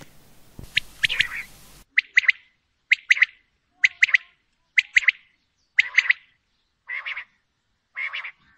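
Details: Female common quail giving paired and tripled short sharp notes, each burst separated by about a second of silence, later bursts softer and more blurred, after a brief stretch of noisy background at the start.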